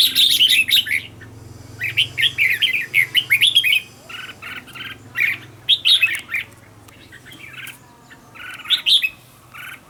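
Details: Red-whiskered bulbul decoy bird trained to sing fast and fiery; loud ringing chirped phrases delivered in several tight bursts, fading to softer scattered notes toward the close, faint hum behind.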